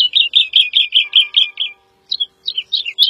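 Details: Woodlark (Lullula arborea) song: a steady string of eight descending liquid notes, then a brief gap and a looser set of varied chirps, with faint steady low tones in the background.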